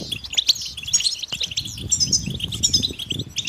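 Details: Several European goldfinches exchanging mating and readiness calls to rouse males to sing; sharp, high tinkling chirps in quick clusters, one brief click near the middle, faint rustle below.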